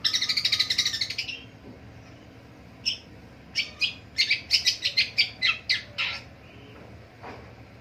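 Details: Morning calls of a long-tailed shrike: a loud buzzy rattling burst at first, a pause, then a fast run of about a dozen sharp chattering notes, tailing off into quiet.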